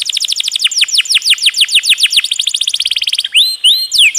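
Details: Canary song featuring the prized shooting roll, meant as a master recording for songbirds, with added water sounds: a long run of rapid downward-sliding notes about three per second, ending in rising and falling slurred whistles.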